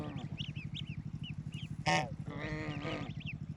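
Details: Baby ducklings on a peaceful rural farm, swimming and staying close to their mother: thin, high, arched peeps repeated rapidly throughout over a steady low pulsing hum, with one sudden loud broadband honk and a wavering bleat-like call.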